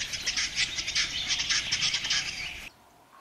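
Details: Western capercaillie at its lek in a Russian forest, 2013, singing in the morning beside tents: about two and a half seconds of fast, rasping, whetting scrapes, then the phrase stops abruptly into near quiet.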